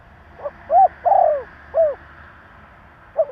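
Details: Spotted dove giving its provoking coo: a faint pickup note, two husky coos, the second long and falling, a slurred closing coo, then the start of another phrase.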